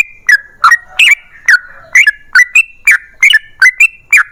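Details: Loud yellow-vented bulbul song in a long rapid style, meant to provoke other bulbuls to answer. Sharp, liquid notes fall into short whistled tails, about three per second. The rhythm is slightly uneven.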